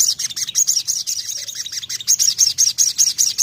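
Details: Sogon singing a fast series of high, ringing chirps, about two and a half notes per second, with a faint lower echo of each note beneath and a steady rhythm throughout.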